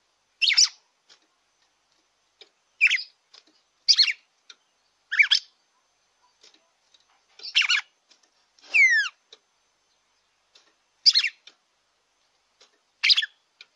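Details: Red-cowled cardinal song played to stimulate a captive bird: short, bright, warbled phrases every one to three seconds, one a clear descending whistle, against near silence.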